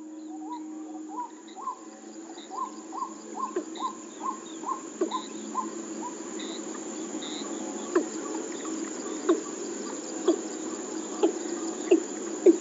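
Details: Watercock recorded 21 July 2014 at Shirgao, Bicholim, Goa, India, giving a run of hollow, upslurred notes about two or three a second, then spaced sharp knocks, over a steady insect drone.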